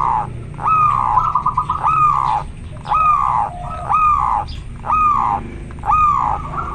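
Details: A local zebra dove in strong breeding condition sings clear, rounded cooing phrases with quick stuttered rolls, about once a second; faint background noise underneath.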